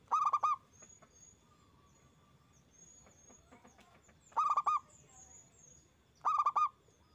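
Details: Strong-voiced local zebra dove song used to stimulate other doves to sing: three bursts of stuttering coos, with thin, high whistles and scattered chirps from other birds between them.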